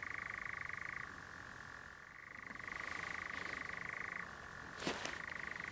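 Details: European nightjar churring near dusk at Clumber: a long, dry, rapidly pulsed mechanical trill that shifts between a higher and a lower pitch, with a brief sharp sound near the end.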